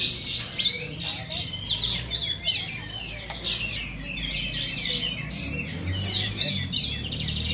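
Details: Caged kapas tembak bulbuls singing together at a songbird contest in Bonjol, Pasaman Timur: dense overlapping high chirps and quick twittering phrases, with faint announcer speech and crowd murmur underneath.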